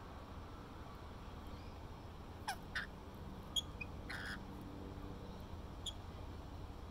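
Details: Rainbow lorikeets chattering to each other while eating grapes at Little Manly, Sydney, Australia: a few short, harsh screeches around the middle of the clip, with a pair of sharp chirps later, over a steady low background rumble.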